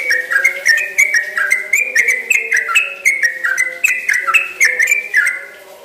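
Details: Yellow-vented bulbul in energetic, long-running song known as 'ropel panjang'. Steady chains of clear whistled notes hop up and down in quick succession for several seconds, fading slightly at the end, with a faint low hum underneath.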